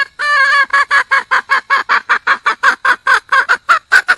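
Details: Red junglefowl hen in the wild calling to attract a male, giving a steady series of about twenty hoarse, clipped cackles, roughly five per second, with no other noticeable sounds.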